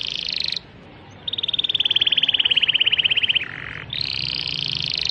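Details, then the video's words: Canary song of long, even, rapid trills, one buzzy rolling tour held for about two seconds, then a lower short trill and a higher sustained trill, over faint background hiss. "beautifull #canary singing"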